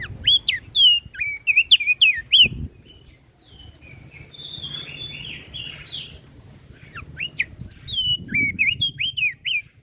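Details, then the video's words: Crested white-eye (Flores form), singing actively in a way said to rile up other birds: loud, high whistled notes slurred up and down in quick bursts, a softer warbled middle passage, then another burst of sharp whistles over low background rumble. "Opior Jambul flores Gacor Bikin Emosi Burung Yang Dengar Pasti Langsung Ribut"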